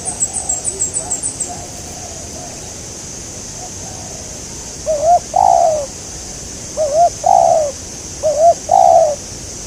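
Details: Spotted dove calling on a bird-trapping trip in Indonesia aimed at a local bird. Rapid high chirps open the clip. Then come three cooing phrases about 1.7 seconds apart, each a brief wavering note and a longer coo that sags at its end. A continuous insect drone is present.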